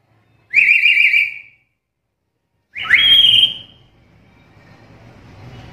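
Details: Black-capped lory producing a quavering whistle followed by a rising, then level ringing whistle, with low room noise lingering afterward.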